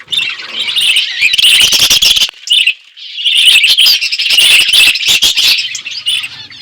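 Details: Outdoor aviary budgerigars in loud, continuous chirping chatter, a dense buzzy warble of many overlapping birds with sharp clicks, pausing briefly twice before resuming.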